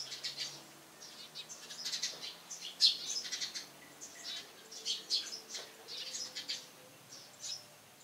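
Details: Eurasian tree sparrows on top of a house in the morning give a loud, lively stream of short, high chirps in quick, irregular bursts, several birds overlapping, over a faint low hum.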